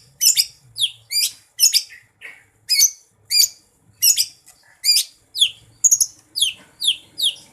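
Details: Cucak ijo, the Greater green leafbird, in full gacor song: sharp high downslurred chips and whistles delivered in quick pairs roughly every half second, steady and insistent, against a quiet background.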